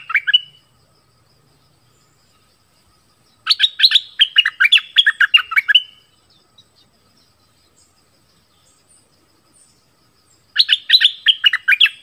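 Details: Orange-headed thrush song, used to draw in wild birds and teach young birds: bursts of rapid chattering whistled notes lasting about two seconds, separated by long silences.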